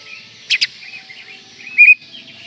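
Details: Oriental magpie-robin (kacer) in a manjur-style training recording: two quick sharp chirps, then a brief bright whistled note a second later, over a steady high hiss.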